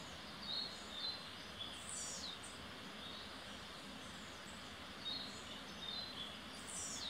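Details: A male blue-black grassquit in Boquete, Panama, gives short high ticks and thin buzzy upswept display calls during its up-and-down jumping display, repeated every few seconds, faint over steady rushing background noise.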